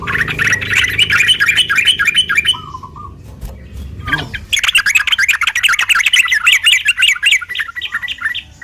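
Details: Sooty-headed bulbul fighting song used as a provoking lure: long runs of agitated, rapid chattering, broken by a brief lower warble and a short swooping sound midway, then intense chatter again.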